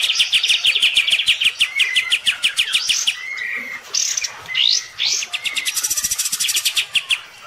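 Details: Kept olive-winged bulbul, bathing but still fighting its neighbour's bird, gives a fast rattle, several looping whistled notes, then a high dense trill to the end.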